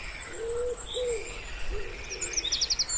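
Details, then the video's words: Wood pigeon by a still pond in spring, giving soft low hooting coos in short phrases. High, rapid chirping and trilling from other small birds runs above it. "Wood Pigeon Sounds"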